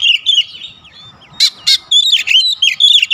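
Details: Oriental magpie-robin singing sweet high whistles, then two loud harsh buzzy notes, followed by a quick varied series of slurred whistled phrases.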